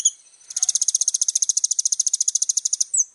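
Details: Kolibri ninja, or little spiderhunter, in energetic varied song used for tutoring birds; one long, very fast and even high-pitched rattle lasting over two seconds, ending in a single sharp slurred chirp.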